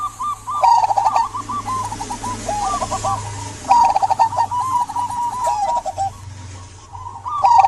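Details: Zebra dove of local stock singing to coax silent doves: repeated rolling, bubbling coo phrases, some overlapping, with a low hum and noise beneath.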